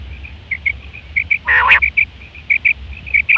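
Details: Female quail sound for luring: soft, evenly spaced high pips with one brief, rough buzzy burst near the middle and a sharp note at the close.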